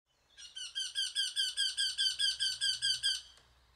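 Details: Eurasian wryneck singing a series of about thirteen nasal, slightly downslurred 'kwee' notes, evenly spaced at roughly two or three per second and of steady loudness, with a faint low hum underneath.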